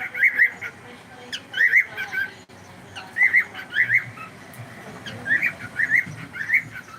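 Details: Pet cockatiel twittering in short groups of bright, wavering whistled notes, four clusters spread over seven seconds with a soft click in one gap.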